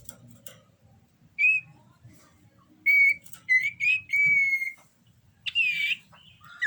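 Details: Common iora in breeding condition gives clear whistled notes, some held and level, others slurred, scattered unevenly among quiet gaps.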